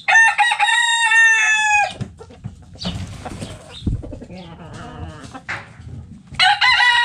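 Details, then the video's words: Backyard coop with roosters and hens: a strong harmonic crow near two seconds long, a stretch of mixed clucks and a drawn-out squawk, then a second loud crow at the end. "Backyard Chickens In The Coop Relaxing Video Sounds Noises Hens Clucking Roosters Crowing!"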